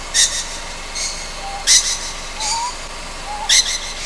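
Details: Three sharp hissing screeches from a juvenile Ryukyu scops owl at night on Amami Oshima, evenly spaced about 1.7 seconds apart, with faint thin whistles in the gaps.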